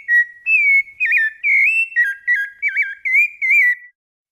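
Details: Rufous-bellied thrush (sabiá-laranjeira) singing a fluted song of the Brumado style: a quick string of about eight clear whistled notes over four seconds, some steady, others wavering or looping up and down, in a quiet background.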